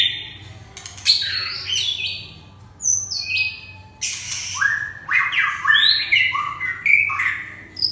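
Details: Red-whiskered bulbul pouring out loud, bright, slurred whistles that jump up and down in pitch, delivered in lively bursts with brief pauses and occasional clicking noises.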